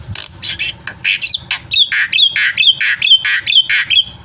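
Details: Black-winged myna in full song, played to lure other birds to sing: a steady series of harsh, buzzy high notes, each ending in a short whistled flick, repeated about twice a second.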